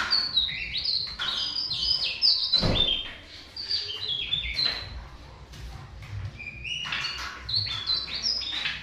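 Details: Song of a tesia, offered as training material for songbirds: a rapid chain of piercing high whistles, about four notes a second, rising and dropping in jerky steps, with one brief knock partway through.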